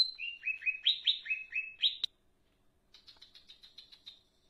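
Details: Energetic leafbird song of rapid, clear slurred chirps for two seconds, a sharp click, then a softer series of quick, evenly repeated high notes.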